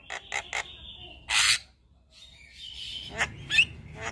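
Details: Jalak kebo mata putih delivering gacor song full of isian while nodding: three quick clicks, a level whistle, a loud hissing rasp, a pause, then wavering whistled notes.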